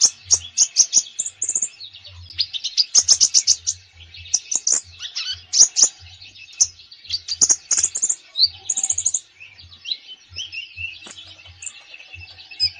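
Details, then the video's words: Lively, full konin song meant as training for a quiet konin: dense, high, varied chirps and sharp twittering phrases that run almost without a pause, with short trilled bursts between them. "KONIN GACOR FULL ISIAN !! COCOK UNTUK TERAPI KONIN BAHAN YANG MALAS BUNYI"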